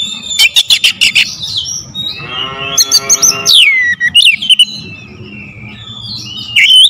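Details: Powerful lure song of an oriental magpie-robin (kacer): rapid piercing ticks open, then a rasping buzzy stretch, a steeply falling whistle, and scattered sharp high notes over faint low background hum.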